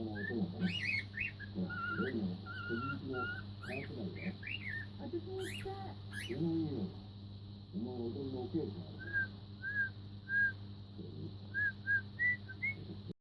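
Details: Cockatiel, four months old, working on Queen's Another One Bites the Dust: bursts of quick whistled phrases mixed with low mumbling chatter, then a series of short, evenly spaced clear whistle notes near the end, steady hum behind.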